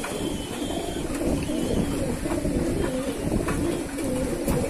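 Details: Captive pigeons give deep, wavering coos over a heavy low rumble, the phrases running together with faint bird chirps in the distance.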